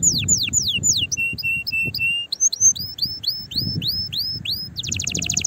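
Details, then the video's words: Canary singing to excite other canaries into song and prepare the female for mating: descending slurred notes, flat piping tones, repeated rising whistles and a closing rapid trill, with low background rumble. "تغريد طائر الكناري هائج نار , لتحفيز على الغناء"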